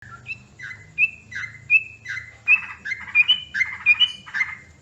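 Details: Yellow-vented bulbul calls used as a lure for bird trapping: short bright chirped notes, some rising and level whistles, repeated in quick irregular bursts about every half second, over a faint low hum.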